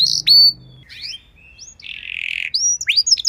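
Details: Canary training and prompting song for tutoring other canaries: sparse, broken phrases of high whistled slurs, a brief buzzy trill and rising chirps, with a low hum under the opening moment.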